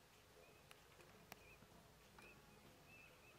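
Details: Eurasian teal at the Isonzo river mouth nature reserve (Izliv Soče), 4 January 2024: faint, short high whistles, four or five spaced about a second apart, over a steady hiss of background noise with a few clicks.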